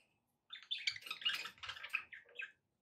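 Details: A pet budgerigar gives a two-second burst of fast, scratchy warbling chatter with squeaky chirps, rising from silence and fading out.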